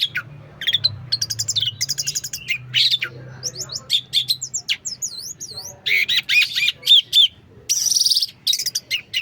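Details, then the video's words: Long-tailed shrike in a fully loaded song: rapid rattling trills, looping whistled notes in paired V-shaped sweeps, and harsh buzzy bursts in quick succession, with a faint low hum early on. "pentet full materi mewah"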